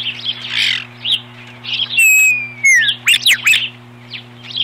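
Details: Ospreys defending their nest against an intruder, 21 April 2015; shrill chirps and squeals, then a long clear descending whistle and more sharp high notes, with a constant low hum beneath.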